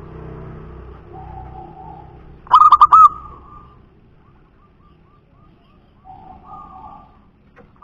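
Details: Local wild zebra dove called a punden dove: a low cooing note, then one loud trilled phrase of four rapid coos with a drawn-out ending, followed by quieter soft coos.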